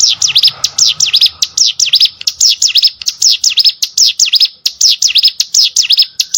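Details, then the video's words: Hill prinia song recorded to train competition birds: bright, high whistled notes, each dropping and rising again, repeated quickly in even pairs and triplets, over a faint low hum at first. "CIGUN ATAU PRENJAK GUNUNG!!! MASTERAN UNTUK BURUNG LOMBA"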